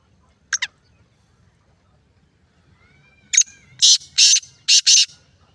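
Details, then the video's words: Black francolin (kala teetar, Sindhi teetar), recorded 20 February 2024 in Layyah district. After one short harsh note comes a series of loud, grating, rasping notes in quick succession, with a faint thin whistle before them. "Kala teetar birds Sindhi teetar best Awaaz"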